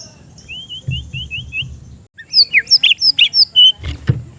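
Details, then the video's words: Oriental magpie-robin, an untrained young bird at a bird stall, song used as a lure for training: a run of five rising whistled slurs, then loud varied high chirps and trills, with low background rumble. "MASTERAN ATAU PANCINGAN BURUNG MURAY BAHAN"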